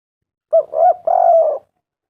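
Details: One cooing phrase from a spotted dove, played as a lure so other doves answer: short opening coo, an arched second note, and a long sustained coo tailing downward.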